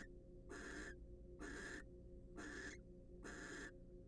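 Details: Four breathy, rasping hisses from wild barn owls preening and courting in a nest box, each under half a second and separated by short silences, with a low hum behind.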